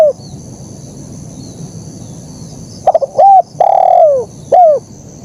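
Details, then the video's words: Spotted dove singing vigorously in the KUK 1 style: after a quiet stretch, a short stuttered lead-in, a level coo, a long drawn coo falling at its end, then a final downslurred note. Steady faint hum underneath. "Suara Burung Kicau Terkukur Gacor KUK 1"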